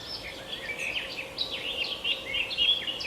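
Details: A short stretch of lively bird chirping made of overlapping high, quick notes. Some notes slide up and others slide down, all over a soft, constant background hiss.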